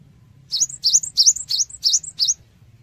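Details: Cinereous tit singing to provoke responses from other birds: six loud, evenly spaced, sweeping high notes, each bending upward then down, over under two seconds, with a soft low rumble underneath.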